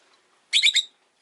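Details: Two rosy-faced lovebirds huddled together at an entrance; one gives a quick burst of three or four shrill, scratchy chirps lasting under half a second, with quiet around it, amid possible town noise.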